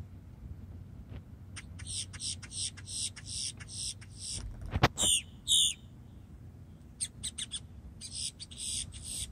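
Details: A blackbird singing on Amelia Island, Florida, gives quick runs of harsh, buzzy, high-pitched notes, a few louder squeaky bursts, and pauses, over a low background rumble.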